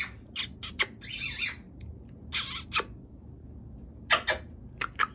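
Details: Two pet macaws, a calico macaw and a scarlet macaw, playing and talking together indoors: harsh, raspy squawks in short bursts, with one longer grating screech and several brief clipped squawks in a small room.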